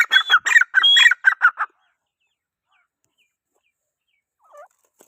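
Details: Grey francolin (teetar) giving a quick series of about ten harsh, clipped notes over roughly one and a half seconds, then falling silent apart from a faint distant chirp.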